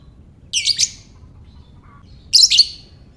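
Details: Lovebird voice meant to provoke other lovebirds into calling: a pair of harsh, squeaky, double-pulsed bursts nearly two seconds apart, sharp and piercing, with a soft brief whistle between them and low background hiss.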